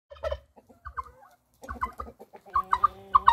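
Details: Turkey heard among people: scattered low clucks, then a rapid burst of throaty, rattling gobble notes near the end, with a man's voice close by.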